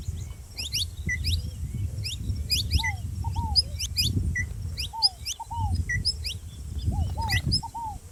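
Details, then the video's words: Saffron finch noisy next to a ground dove: busy series of high, quick upward chirps and tweets, lower double arched whistles returning regularly, over a steady low rumble. "canário da terra fazendo barulho junto com rolinha"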